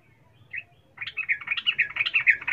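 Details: A female sooty-headed bulbul calls to a male: one short chirp, a pause, then a dense run of quick, bright, chattering notes that grows louder toward the end.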